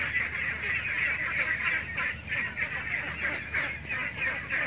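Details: Crowded duck pen holding ducklings and laying ducks; a steady mass of harsh, clipped quacks pulses in loose bursts about every half second.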